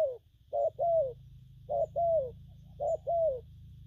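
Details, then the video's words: Newly caught spotted dove giving gù phóng, gù kèm and gù lăn coos: three evenly spaced pairs, each a short note followed by a longer falling coo, roughly once a second over a low hum. "Bổi nước gù phóng, kèm, gù lăn săn"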